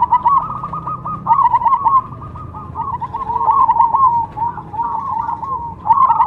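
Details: Zebra dove of the cemani type (perkutut cemani) singing: a run of quick, clipped cooing notes at a mid pitch, bunched into rolling phrases with short gaps, over a low background hum.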